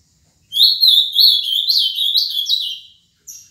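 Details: Ultramarine grosbeak, a seven-year-old male singing the Paraná song type: rich, bright warbling of quick up-and-down whistled notes for some two and a half seconds, then a brief pause and the start of another note.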